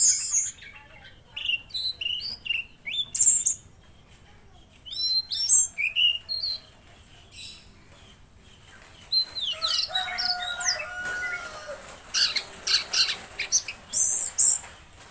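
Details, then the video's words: Tledekan Laut singing vigorously: bursts of high, sharp chirps and whistled notes, some sliding down, in clusters separated by short pauses, with a faint low hum underneath. "Masteran Burung Tledekan Laut Gacor"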